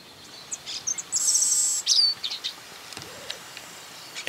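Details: Grassland Yellow-Finch (Sicalis luteola) in Esperanza, Santa Fe, Argentina, 2023, gives high, thin chirps and a buzzy trill with a sharp descending whistle; faint hiss and a brief spoken voice.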